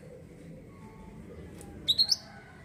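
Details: Mantenan or olive-backed sunbird used as a lure: after noisy background hum, three quick loud high buzzy notes, slightly rising, close together near the end.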